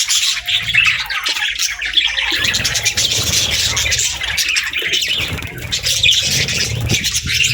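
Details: Pet budgerigar flock chatter, continuous high twittering and scratchy warbled notes, even in loudness throughout, over a faint low hum.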